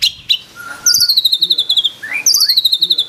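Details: White-rumped shama song of long rapid high trills, each slowly falling, with a short low whistle and a rising slur between them.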